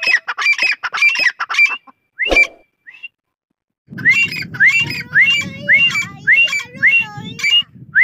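Grey francolin calling in loud, harsh, ringing notes, repeated nearly twice a second, with a short pause midway and low rumbling noise behind the later calls.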